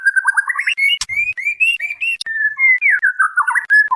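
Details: White-rumped shama female calling to a male, used as training lure: flowing whistled phrases that rise and dip, a few sharp clicks, and a closing cluster of quick descending slurred notes.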